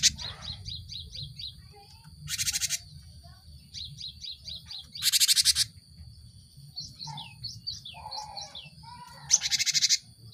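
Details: Cinereous tit lure song for caged birds. Quick series of short high sharp notes, repeated in runs, alternating with three loud harsh buzzy bursts and faint lower chirps.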